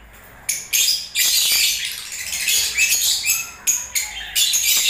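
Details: Several lovebirds in breeding season keep up near-continuous shrill, raspy chattering and squeaks, loud and high-pitched, with brief gaps between bursts.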